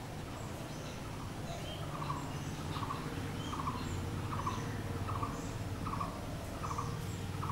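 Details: Blue-throated barbet, or bosonto bouri, repeating short mid-pitched rolling notes about once per second, partly masked by strong low rumbling noise, with faint distant chirps above.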